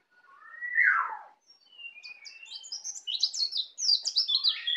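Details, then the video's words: Native Bali white-eye just starting to learn ngeplong: a strong falling slurred whistle followed by a quick, rising stream of thin high chirps and twitters. "Pleci Bali baru Belajar ngeplong"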